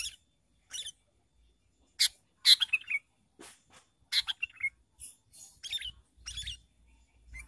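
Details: Energetic, varied singing of a sooty-headed bulbul for luring birds into traps: a busy run of short chirps, sharp notes and gurgled phrases in quick succession, with faint low handling rumble near the end.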